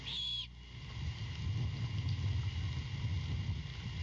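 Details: Great horned owlet at night in Savannah, begging while its mother delivers a rat after a long absence; one brief raspy screech at the start, followed by low rumbling noise.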